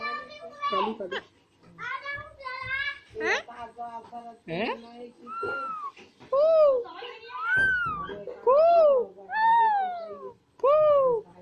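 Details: Two green Alexandrine parakeets, pets, dancing and talking; a run of harsh speech-like syllables gives way to loud, clear arched calls repeated about every second, rising then falling in pitch, in a quiet room.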